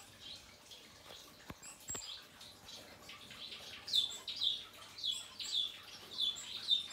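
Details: Male painted bunting, moult complete: a couple of clicks and faint notes early, then a row of high bright chirps spaced about half a second apart, over a low hum.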